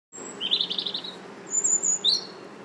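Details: Robin singing in a park in March, a high warbled phrase of quick tinkling notes followed by thin high whistles and a short rising squeak, over faint low background hum.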